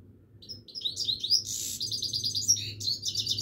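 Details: Himalayan goldfinch in continuous song: lively high twitters rise into a buzzy rasp, followed by quick rattled trills and clear chirps, bright and unbroken over a faint low hum.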